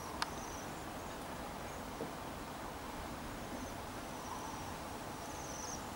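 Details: Waxwings, newly arrived in Bryansk city in December 2023, give faint, high, thin trills, several short buzzy sibilant bursts spread through the clip, over a steady low hum of traffic and city noise.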